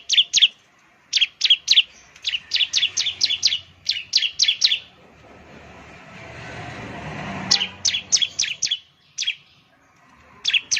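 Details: Ciblek singing as a lure: fast strings of high, sharp, down-slurred chirps, about four a second, with a passing vehicle rumble swelling in the middle of the recording.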